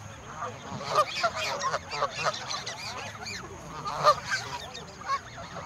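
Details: A flock of over a hundred geese being fed in the countryside honks excitedly, rapid bursts of loud, harsh, overlapping nasal calls coming in two clusters, several per second, with a steady faint high whine.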